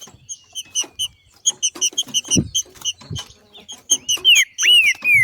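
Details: Green-winged saltator, a female in nature singing in male fashion to spur other males to sing: quick, metallic chip notes repeated irregularly, closing with strong, arched, descending whistles.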